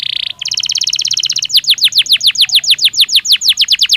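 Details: Belgian canary singing naturally: a brief high buzzy trill, then a long series of loud, bright notes that each sweep downward, repeated about three times a second with even spacing.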